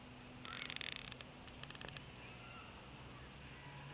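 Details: Bald eagle fussing at its nest beside an eaglet, Florida, 10 February 2016: a faint burst of rapid high chittering notes lasting under a second, then a few softer clicks over steady background hiss.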